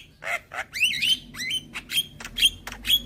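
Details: Young white-eyed Javan myna, head-bobbing and calling to lure hybrid mynas: a mix of scratchy notes and looping, bending whistles, then bright short whistles roughly twice a second.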